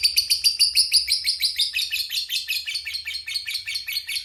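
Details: Lovebird giving the long ngekek trill used to provoke other lovebirds, an unbroken, shrill, fast chattering of about three pulses per second that runs throughout with no pause.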